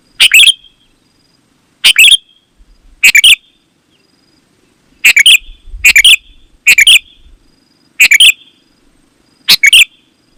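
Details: Sooty-headed bulbul singing to lure other bulbuls: clear, bubbling phrases in small clusters, with a quiet pause in the middle and then a rapid run of three phrases.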